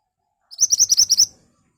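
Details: Vigorous, sharp-toned song of an ashy tailorbird, meant as a lure so birds reply quickly: a rapid, even burst of about seven high, clipped notes, then silence.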